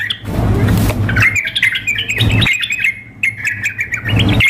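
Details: Sooty-headed bulbul contest-simulation mix of a female's calls to a male and a fired-up singer: rapid, bubbly chirps forming a fast chatter, with noisy broadband bursts at the start and end.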